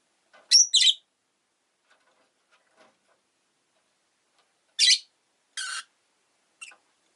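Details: Captive rosy-faced lovebird making loud, piercing, rasping chirps: a doubled call at the start, then more harsh shrill notes spaced about a second apart after a long silence.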